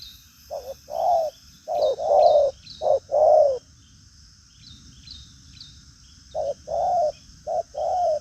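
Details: Spotted dove of the 'đồng pha chân cua' type, a strong cooer with a lively manner, giving 'thúc gù có lèo' cooing: low hollow short-then-long coo pairs in two bursts split by a pause, faint high chirps behind.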